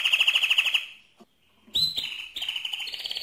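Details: Mosaic canary singing a quick pulsed trill, pausing briefly, then returning with rising whistles and buzzy rolling phrases.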